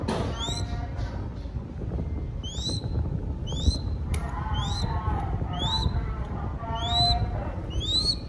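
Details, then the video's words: Crested goshawk chick during feeding in Cambodia, calling insistently with rising whistled squeals about every second, mixed with lower raspy chattering notes and faint voices or rustling beneath, over steady low background noise. "Feeding Baby Crested Goshawk / ឲ្យចំណីកូនស្ទាំងអឿនអិន"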